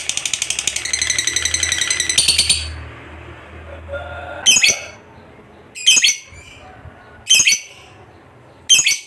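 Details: Fighter lovebird from bird contests opening with a rapid pulsed chatter lasting about two seconds, then four separate harsh squawks spaced roughly one and a half seconds apart.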